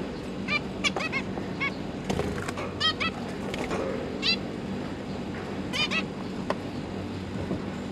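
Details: Zebra finch parents feeding their three newly fledged juveniles in captivity; short nasal harmonic chirps in small clusters, some doubled, with pauses between, over a steady low hum and faint rustling.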